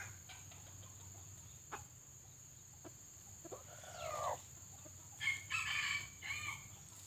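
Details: Decoy red junglefowl, pale with white legs, calling to draw wild birds to a trap: a rising harmonic note, then a longer broken crow in several bursts after a pause, with background hum.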